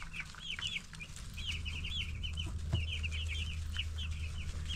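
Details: Ten-day-old broiler chicks peeping about four times a second in irregular high chirps, some rising then falling, with a low hum and a single sharp knock.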